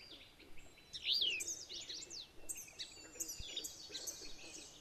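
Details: In Maine, an alder flycatcher pair defends territory against another alder flycatcher: a sharp, high call sweeping downward stands out among scattered thin chirps and buzzy notes from several birds.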